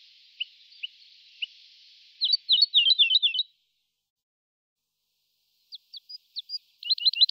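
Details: A Woodlark at Tourli, Greece, sings short, high, liquid phrases of quick rolling notes, with a pause before another fast trilled run. A faint background hiss is heard.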